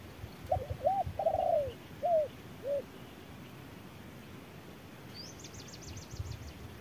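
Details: Spotted dove responding to a decoy bird at midday in harsh sun. It gives a series of short arched coos and one longer coo. A faint high, rapid twittering from another bird follows against a steady background hiss.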